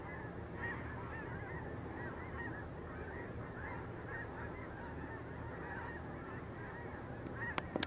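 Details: Huge flock of geese, tens of thousands strong, lifting into flight over Sacramento National Wildlife Refuge; countless overlapping nasal honks merge into an unbroken roar with a deep rumbling undertone and a couple of sharp clicks at the close.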